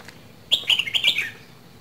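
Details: Two-season red-whiskered bulbul from Dak Lak, Vietnam, sings one brisk phrase of rapid warbled notes, bubbly and slightly falling in pitch toward the close, against faint low background noise.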